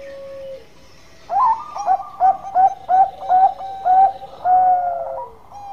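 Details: Zebra dove of the Bangkok type, singing actively in a long-voiced style. A low whistled note opens, then a series of about eight rich cooing phrases at a steady, bouncing pace, ending in a longer, drawn-out, falling coo.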